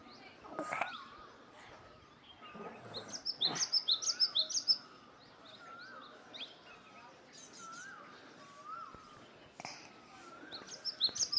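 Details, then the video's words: Birds chirping, a quick series of high thin chirps, repeated low whistled notes at intervals, and a second burst of high chirps at the end over steady background noise. "Birds are chirping Sound"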